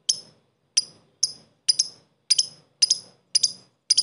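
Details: A lovebird gives sharp, high ticking and cackling chirps, single or doubled, about twice a second. The continuous calling is used to provoke fighter lovebirds into responding.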